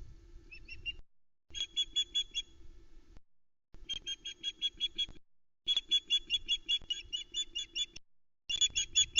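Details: On 12 July 2020 a female osprey on a Loch Arkaig nest cam in the Arkaig Community Forest gives her intruder alarm: repeated volleys of shrill, evenly spaced whistled yelps, about 2.5 per second, separated by brief pauses.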